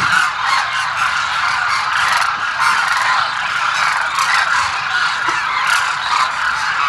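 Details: A large flock of demoiselle cranes at Kheechan, Jodhpur, Rajasthan keeps up a dense, continuous chorus of hoarse, trumpeting croaks, many birds calling over one another throughout.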